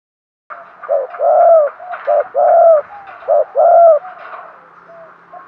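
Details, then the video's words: Decoy spotted dove calling to lure wild doves, giving three paired coos, each a short note then a long rounded coo, repeated about every second and a half, with quieter notes fading at the end. "chim cu mồi thúc gù, chim cu gáy kích bổi mới nhất, cu cườm thúc gù giọng hay"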